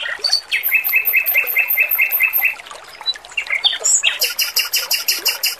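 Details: Training song of an energetic male robin: a string of about ten evenly repeated chirps, a short gap, then fast high ringing pulses, with trickling water in the background.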